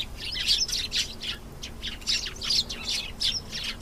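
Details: Canary singing a lively song of bright, high chirps and short warbled phrases in quick bursts about every half second, with a faint low hum underneath.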